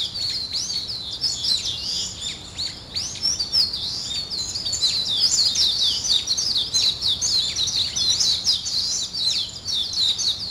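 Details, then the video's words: Many small birds chorus at daybreak with fast, overlapping high chirps and sweeping twitters that never pause. "아침을 깨우는 새소리 2 ,Birds wake up in the morning 2"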